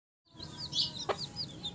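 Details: Chicks beside their mother hen giving a few high, thin peeping notes, with a brief sharp knock midway.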